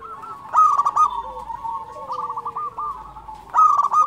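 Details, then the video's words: Local zebra dove (perkutut) in active song: loud burst of rapid, rough cooing notes around half a second in, softer continuous low warbling cooing throughout, then another strong burst near the end. "SUARA perkutut lokal gacor"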